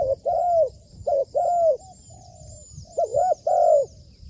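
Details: Decoy spotted dove, trained for luring wild doves, calls in low mellow coos: a quick note, then a drawn-out arched coo, repeated twice with a gap. Faint high thin tones sound behind.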